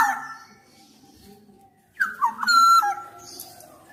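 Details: Black-naped oriole. A faint call fades out over a long near-silent stretch, then a short burst of clear, looping flute-like whistles rises and falls at about two to three seconds.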